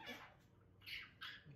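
A monk parakeet gives three harsh, raspy squawks in a little over a second, each a loud grating burst, indoors.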